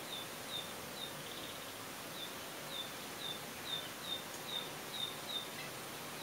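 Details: Narcissus flycatcher giving a threat display, back fluffed and tail spread, with a string of short, high ticking "hi-hi-hi" notes, roughly two a second, over a steady background hiss.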